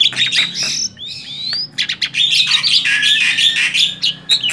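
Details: Male black-winged starling, tame, in full continuous song: rapid harsh chatter and squawks mixed with upslurred whistles, scratchy buzzing passages and brief pauses, over a faint low hum.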